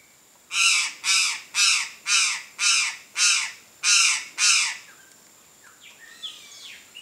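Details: Chestnut-eared aracari, Pteroglossus castanotis, a free wild bird in nature, calling: eight loud harsh squawking notes in a steady series about twice a second, then faint thin whistles of other birds.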